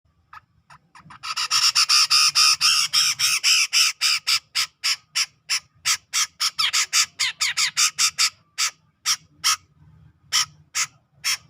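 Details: Grey-cheeked bulbul from Sumatran tropical forest near Medan, in the ngepik style, used as a tutor recording for cage birds: a fast burst of harsh, buzzy, broadband notes, about four per second, dense at first, then spacing out.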